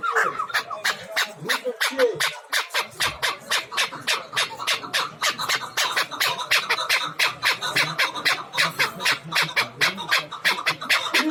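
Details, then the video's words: Hybrid chukar partridges at a bazaar in Dushanbe, Tajikistan, give a rapid, steady series of sharp chuckling notes, about four per second, throughout. "Кабкхои гибрид дар бозори ш. Душанбе"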